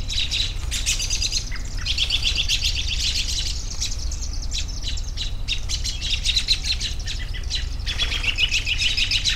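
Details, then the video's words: A bird chorus of long twittering runs and sharp, quick chirps, with a brief lull before the chatter resumes, over an ever-present low background hum. "10 Minutes of Bird Sounds for Relaxation"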